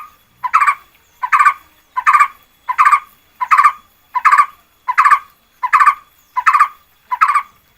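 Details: Red-whiskered bulbul lure song from 2024: a short, bright warbled phrase of three or four quick rolling notes, repeated steadily about every three-quarters of a second, ten phrases in a row on a quiet background.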